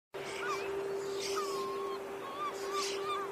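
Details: Red knot (Calidris canutus) from recordings on Helgoland in June 2021 or Meerbruchwiesen near Steinhuder Meer in September 2023: short, low whistled notes, some slurred or gently rising, about five over three seconds, over a steady droning hum.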